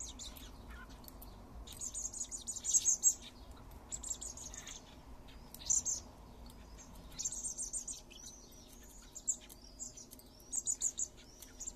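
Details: Persistent begging from three common blackbird fledglings fed by their father in a garden: runs of rapid, piercing high-pitched squeaks recur every second or two throughout, some drawn into longer trilled bursts, over a low hum.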